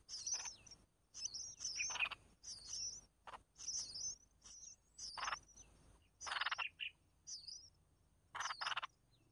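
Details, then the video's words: Red-whiskered bulbul young begging as the mother brings food: a steady run of high, thin wavering squeaks repeated about every half second, with several louder, broader rasping bursts mixed in. "Chim chào mào mẹ mồi cho con cực hay"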